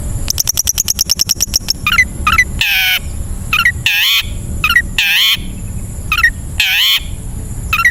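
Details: Long-tailed shrike (cendet) recording meant to train caged birds to sing: a fast run of dry ticking notes, then loud harsh rasping bursts with squeaky notes between them.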